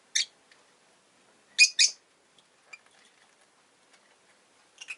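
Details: Rosy-faced lovebirds, a pair of pets huddled at the entrance, utter piercing short chirps: one call, a quick double burst after a pause, then a soft pair at the close, with faint ticks between.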